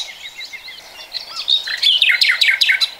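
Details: Song of a common nightingale, 2020: soft chirps build into a loud phrase of sharp, fast repeated notes in the last second and a half, with a background of twittering birds.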